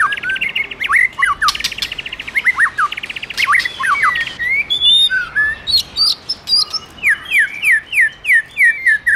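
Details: Male white-rumped shama singing as a female excites him: loud mix of rattling trills, sharp slurred whistles and high sweeping notes, ending in a fast series of evenly spaced downward chips.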